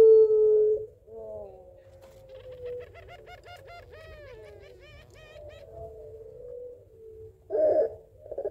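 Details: Puter pelung Barbary dove calling its mate with a crying, laughing voice: a brief long note, then a fast, bubbling rattle of rising and falling notes, a steady hum, and a short rough closing coo.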